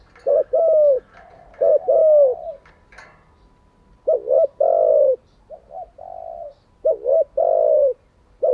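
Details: Spotted dove used as a decoy bird to train newly caught and decoy doves, repeating low, hollow coos: quick paired notes then a drawn-out falling coo, phrase after phrase with brief pauses.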